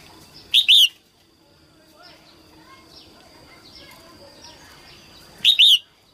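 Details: Female red-whiskered bulbul, early season 2022, singing to prompt males; two loud two-note whistled phrases about five seconds apart, with faint chirps from other birds in between.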